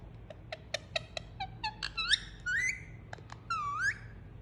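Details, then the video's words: Pet Indian ringneck parakeet making soothing sounds while being cuddled: a run of short clicks and chirps, then longer whistled notes that rise and fall in curved sweeps, quiet overall with a low hum underneath. "Cute Pet Parrot Enjoying Cuddle And Making Soothing Sound"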